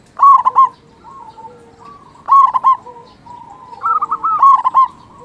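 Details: Loud-voiced local zebra dove singing as a lure to rouse quiet or stressed doves: clipped, gurgling coo phrases roughly every two seconds, linked by softer drawn-out notes.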